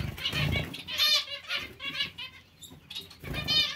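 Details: Zebra finch colony with Bengalese finches present: short nasal harmonic calls in clustered bursts, with low thudding wing flaps and rustling in the background.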